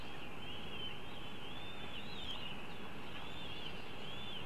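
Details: Young northern goshawks during a feed give a sustained high, quavering whine that undulates gently up and down without pause, one faint sharp click near the middle, steady low rumble beneath.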